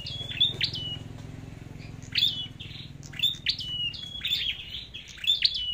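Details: Red-headed flowerpecker singing competitively: high, sharp ticks each followed by a short falling whistled slur, repeated in loose groups about every second, over a steady low hum.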